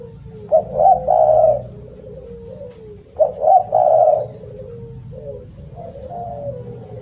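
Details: Spotted dove calling loudly, two coo phrases about three seconds apart, each a quick stuttering pair of notes followed by a longer rolling coo and a soft falling tail.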